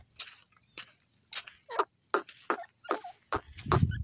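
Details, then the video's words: Francolin (teetar) in a forest giving clipped, separate notes about every half second, each a brief bright burst, with a low thump near the end. "dasi Teetar bird sound"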